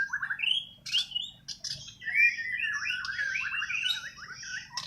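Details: White-rumped shama from Borneo's Kalimantan with untutored natural song: quick rising whistles and a long chattering run of fast, scratchy up-and-down notes, over a low hum.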